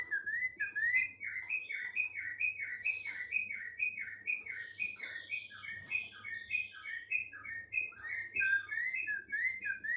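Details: Continuous song of a tame thick-billed heleia in full voice: quick, repeated down-slurred whistles strung into a bright chattering stream for ten seconds, with a faint low hum underneath.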